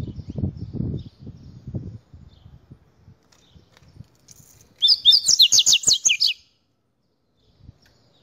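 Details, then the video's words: Double-collared x Buffy-fronted seedeater hybrid kept as a cage bird, giving a rapid series of high, down-slurred whistled notes for about a second and a half after low knocking and rustling sounds. "Mestiço Hulk nos encantando com o seu canto!"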